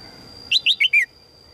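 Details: Female red-whiskered bulbul calling to attract a strong male: four quick, bright chirped notes stepping downward in pitch, given in a burst under one second, over a steady high-pitched whine.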